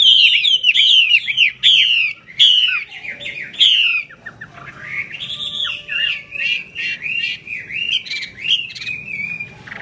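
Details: Caged Chinese hwamei in full song while spreading its wings: a run of loud downward-swept whistles, then softer, rapid warbled phrases repeated at an uneven pace.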